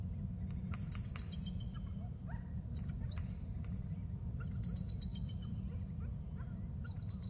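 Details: Bald eagles at the nest during a nest exchange, the male trilling as the female flies in; bursts of high, thin chittering notes in rapid series, repeated in two clusters, over constant low wind rumble.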